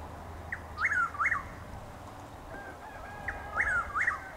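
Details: Chuck-will's-widow heard around 6:20 in the morning on 12 April in Lake Placid, Florida, giving two repeated whistled phrases, each a soft introductory note followed by two loud swooping slurs, over a low hum as rain begins.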